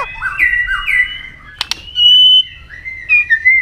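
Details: Fighting song of a White-rumped shama meant to incite a rival: smooth looping whistles, a pair of sharp tail clicks midway, then long clear sustained whistled notes and a final slurred phrase.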